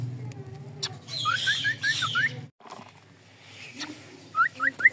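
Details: A cockatiel gives quick runs of short, rising chirps over a low background hum.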